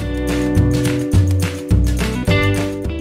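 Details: Only music is heard, with strummed guitar over a steady beat and no animal sounds.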